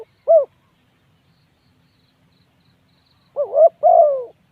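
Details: Spotted dove giving low, soft cooing notes: a single hollow coo, a long pause, then a quick phrase of three rounded, slightly wavering coos, in a quiet setting.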